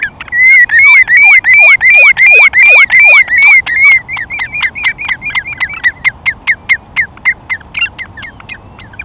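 A redshank gives a ringing, yodelling series of fluty, down-slurred notes, nearly three a second, loud at first, then softer and choppier as it trails off.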